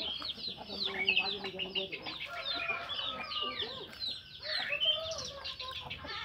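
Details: Orange-headed thrush singing in full ngeplong style in the morning, meant to stimulate other thrushes to sing: a dense, unbroken run of varied whistled and chattering phrases, quick slurred notes tumbling over one another.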